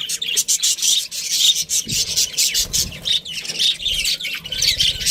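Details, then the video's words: Pet budgerigars chattering nonstop: dense, scratchy, buzzy warbling, with quick chirps tumbling over one another without a break. "cute budgie chirping sounds"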